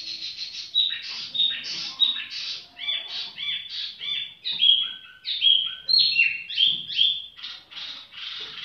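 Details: Tiểu mi bird singing at leisure: a continuous, varied stream of whistled and slurred notes, rising and falling quickly, in rhythmic bursts for nearly nine seconds.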